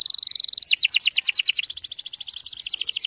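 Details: Canary song meant to bring young birds into full song: a fast high trill breaks into slower looping downward notes, then returns to a quick rattling roll of repeated syllables.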